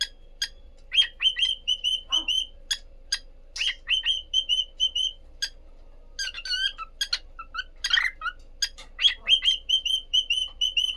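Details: Cockatiel couple vocalising: runs of quick, clear, evenly pitched whistled notes in bursts of four to six, broken by sharp clicks and chirps, with a steady low hum underneath.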